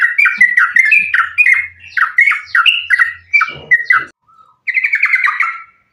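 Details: Energetic yellow-vented bulbul pouring out a combative, nonstop song meant to provoke other bulbuls into singing; chattering, gurgling notes run in quick succession, a faint single note, then a final bubbly burst.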